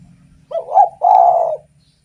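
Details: Actively singing spotted dove, its song meant to draw in other doves: one two-part phrase, a quavering first coo and then a long, even, hollow coo lasting about half a second, with a low hum underneath.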